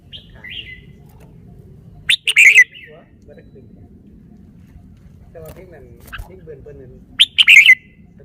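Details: A red-whiskered bulbul shows off its song phrasing: a soft opening whistle, then two loud bursts of bright chirped whistles about five seconds apart, with quieter low warbling between over a faint hum.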